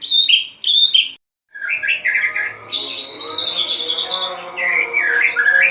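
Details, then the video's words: Dawn song of a caged white-rumped shama in ngeplong style: two short high whistled notes, a gap, then a long, varied run of loud fluting and trilled phrases over a faint humming background. "Murai Batu Ngeplong buka tutup sangkar langsung gacor | Burung Murai Gacor Subuh Subuh"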